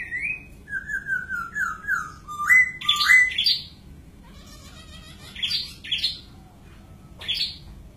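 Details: Whistled song of a white-crested laughingthrush: a descending series of clear slurred notes, then loud sharp upward phrases and several high notes.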